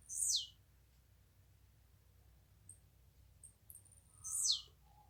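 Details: Blue-black grassquit (Volatinia jacarina), call: two quick, buzzy, sputtering notes dropping sharply in pitch, about four seconds apart, with faint high ticks between; a very fast sound likened to a spark.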